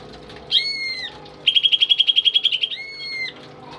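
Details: Tame pet greater green leafbird singing, kept to coach other songbirds: a long pure whistle, then a fast, even trill of about fifteen notes, then another long steady whistle.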